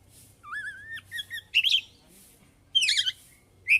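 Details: Oriental magpie-robin performing its varied repertoire: a low wavering whistle, then higher steady whistled notes, broken by sharp bursts of harsh scratchy warbling, with soft hissing noises in the pauses.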